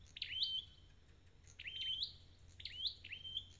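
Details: Three high whistled phrases from a red-headed bird under recovery care, each a quick upward slur settling onto a sustained clear note, spaced about a second apart over low background hum.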